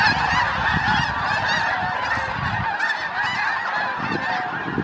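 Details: A dense chorus of snow geese (Anser caerulescens) flying out at Thanksgiving alongside sandhill cranes, their high, nasal honks and barks overlapping continuously, with a low rumble of wingbeats and background noise.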